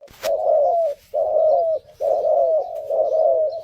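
Spotted dove cooing: four low, soft, hoarse phrases in quick succession, each under a second, with a sharp click at the start.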